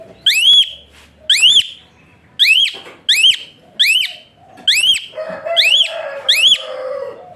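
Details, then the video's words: Asian pied starling (jalak suren), a whistling bird used as a tutor to prompt other cage birds to sing; loud upslurred whistles with harsh harmonics, repeated about once a second, with a low hum in the background. "Burung Bersuara PELUIT Jalak Suren"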